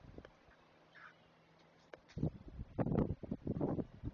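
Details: Nestling great blue herons begging while an adult feeds them at a Chesapeake nest: near silence with a low hum at first, then from about two seconds harsh, noisy squawks build into a loud, ragged cluster.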